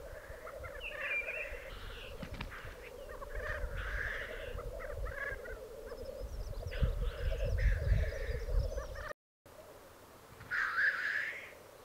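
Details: Black grouse displaying at a Piedmont Alpine lek, 2022. Several hissing, sneezing calls occur over constant bubbling rookooing, with heavy low rumbling noise in the middle, a brief cut, and one final loud hiss.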